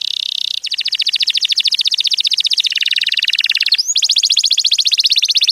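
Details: Canary singing loudly and close up in long, rapid rolling trills of about twenty notes per second. The trills shift in pitch from high to a lower band and back, broken once by a sharp upward sweep, with no other sounds.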